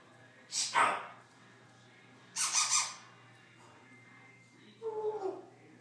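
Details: Congo African grey parrot at home produces three rough, breathy squawks spaced about two seconds apart, the last ending in a short descending tonal slide; faint room hum throughout.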